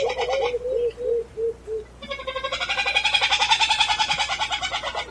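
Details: An all-black flightless crake with a reddish-orange eye ring and legs gives its nasal contact notes in quick succession, then a dense rapid chatter of about three to four pulses a second lasting several seconds.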